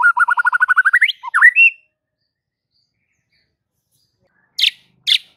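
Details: White-rumped shama song that prompts other shamas to keep singing loudly: a fast, accelerating trill rising steeply in pitch, a few swooping whistled notes, a long silence, then two sharp, harsh notes.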